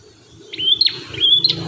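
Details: Ashy tailorbird (prenjak kepala merah) singing for songbird training: two clear, even whistled notes, each ending in a sharp upward flick, repeated about three-quarters of a second apart over a low background hum.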